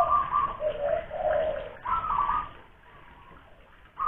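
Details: ['Spotted dove lure bird from Kuningan, West Java: two short phrases of soft, fairly low coos, quieter than the rest, followed by near silence.']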